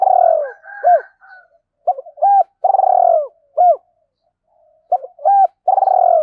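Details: Spotted dove kept as a decoy, calling to attract wild birds: a run of mellow, falling coos mixed with short hooked notes, irregularly repeated phrases of low cooing with brief quiet gaps.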